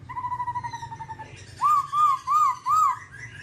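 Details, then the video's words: Babbler from the Timaliidae family, black-plumaged, giving a long steady whistled tone, then four loud arched whistles evenly spaced about every half second, over a low pulsing hum. "birds Timaliidae singing"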